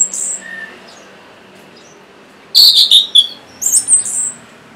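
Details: Orange-headed thrush song meant to stir lazy singers: a thin high note, a long quiet gap, then a loud rich whistled phrase and a tumbling series of shrill, high-pitched twitters.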